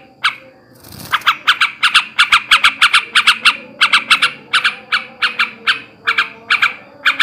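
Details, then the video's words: Male yellow-vented bulbul giving ngebrem ngekek garuda chatter to stimulate breeding: after a brief noisy rustle, fast harsh squawking notes, roughly three per second, continue in uneven groups. "kicau suara burung trucukan jantan ngebrem ngekek garuda ini ampuh menaikkan birahi trucukan bahan"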